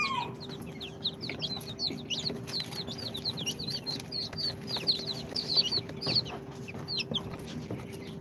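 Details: Newly hatched chicks, two days out of the incubator, of Sultan, Golden Sebright, Cochin and booted breeds, peeping constantly in a dense chorus of high, short, downward-sliding chirps overlapping one another, with a steady low hum underneath.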